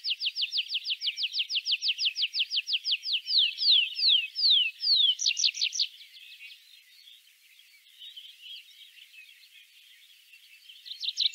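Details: {'caption': 'Tree Pipit singing in Central Russia: a fast run of sharp, evenly repeated chips, then slower downward-slurred notes, a brief buzzy phrase, and a soft fading tail before new chips begin.'}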